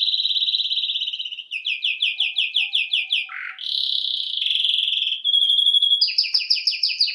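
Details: Canary singing as a training song: rapid trilled tours at high pitch, buzzy rolls and repeated sweeping notes, a brief low dip mid-phrase, then fast rising repeated syllables; no other sounds.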